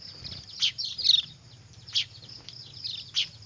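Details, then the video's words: Young weavers calling, used as a lure: a few loud shrill chirps, one slightly drawn out, separated by pauses, over a faint continuous high whine. "Suara anakan burung manyar ribut cocok buat pikat"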